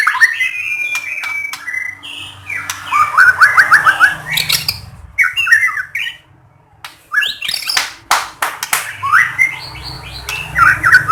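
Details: White-rumped shama song used to draw other shamas into singing: loud bursts of rapid ascending trills and chattering phrases, sharp clicks between, with a low hum in the background.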